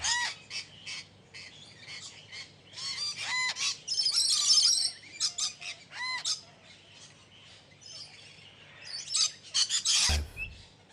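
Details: Budgerigars giving varied calls: short chirps, rising squeaky notes and harsher squawks in quick irregular succession, with a noisier scratchy burst near the middle and a clatter near the end.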